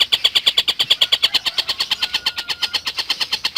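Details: Lovebird tutor recording of a chattering collared kingfisher: a continuous rapid series of clipped, grating notes at an even pace, slightly softer toward the end.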